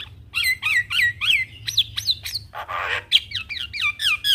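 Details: Javan myna in lively song, repeating bright hooked whistles that drop steeply in pitch, about three per second, with a short harsh rasp in the middle.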